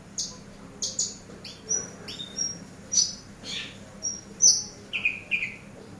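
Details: Eurasian tree sparrow recorded as a master bird for training other birds: short, sharp, high chirps and thin whistled notes, some dropping in pitch, come in quick irregular bursts about every half second.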